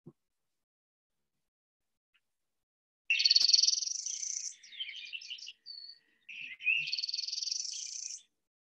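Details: A backyard Northern Parula sings two high, rapid buzzy trills in separate phrases, much faster than a Pine Warbler's trill. The first rises to a sharp end and the second follows a short pause, in quiet surroundings.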